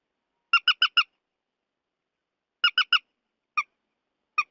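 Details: Purple swamphen (trích ré) for night netting lures: a quick burst of four ringing nasal squawks, a pause, three more, then two isolated single notes, otherwise silent.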